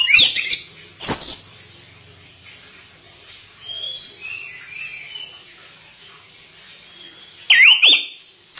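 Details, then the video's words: Chestnut-capped thrush in full energetic song with imitated fill phrases: sharp downward-sweeping whistles at the start and end, soft warbled notes between, over light background hiss. "Anis Kembang Gacor Dorr Buka Isian"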